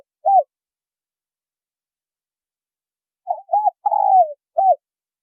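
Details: Spotted doves, male and female, calling to attract wild doves: a lone closing coo, silence of nearly three seconds, then a complete phrase of short coos around one long falling note.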